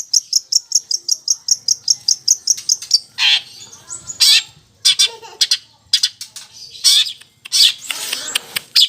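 A long-tailed shrike opens with a rapid string of high, sharp chips, about five a second. It then breaks into harsh, scratchy chatters that borrow sparrow and lovebird calls.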